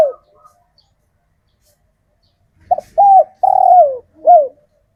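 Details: Male spotted dove of local stock, kept in captivity after capture in the wild, cooing to call females. Mostly quiet at first, then one phrase of a brief note, a rounded coo, a long falling coo and a closing coo.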